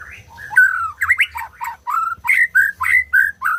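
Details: White-rumped shama singing to stimulate silent birds into song: a rapid series of rich, slurred whistled notes, each dipping and rising, repeated several times a second over a faint low hum.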